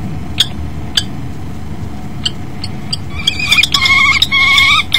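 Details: Common kestrel pair at a nest box on 10 February 2012 around 09:13, male arriving and female landing on the rim before copulating; sharp ticks spaced about half a second apart, then a burst of harsh, wavering, harmonic calls over steady low hum.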